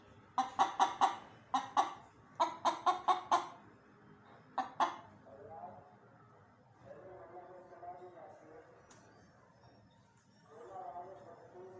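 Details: Chicken, rooster and hen, uttering quick bursts of sharp clucks in small groups over the first five seconds, followed by softer, drawn-out low murmuring notes.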